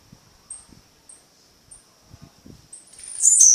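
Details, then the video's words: Tiziu (blue-black grassquit) singing at night in Fragoso, Magé, Rio de Janeiro: three short high notes spaced about half a second apart, then a loud, harsh, buzzy burst, with a constant thin whine and soft low thumps behind. "Tizil ar-15 cantando de noite"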